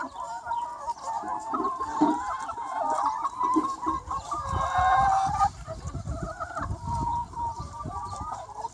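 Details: Sunny spring day with a free-range chicken flock: many overlapping harmonic calls and rapid clucks, plus low thumping and rustling sounds beneath the chorus.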